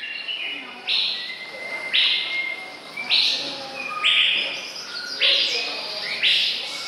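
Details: Male white-rumped shama (Copsychus malabaricus) recorded 2014-05-24 at 51.92595, 4.45315: bright, buzzy high notes about once a second, some paired with clear whistled tones, over a steady background hum.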